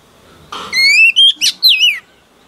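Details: Female oriental magpie-robin, a recently caught wild bird, singing to rouse males. A soft scratchy note leads into a long rising whistle, then three quick clear phrases with twisting, falling slurs.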